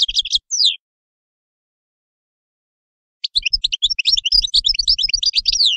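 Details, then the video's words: Goldfinch song in quick bright bursts: a brief twitter at the start, a long pause, then a dense run of high tinkling chirps and slurred notes lasting over two seconds. "تغريد حسون"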